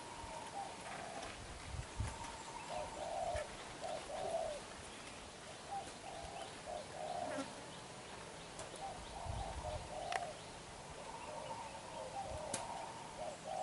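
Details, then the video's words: A young wild-caught black-eyed spotted dove coos vigorously and repeatedly, its low, soft, hoarse phrases following one another every second or two, over faint rustling and a quiet voice. "Bổi Tơ mắt đen, đập gù quá dữ chim"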